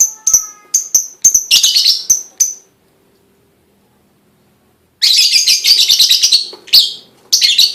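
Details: Lovebird chirping meant to coax other lovebirds into song: separate high notes speed into a dense buzzy chatter, pause in silence, then return as a rapid, rough warbling run.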